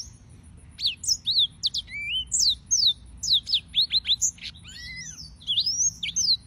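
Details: Song of the yellow-fronted canary (Serinus mozambicus): a long run of rapid steep sweeping notes, high and whistled, with one lower arched note near the end.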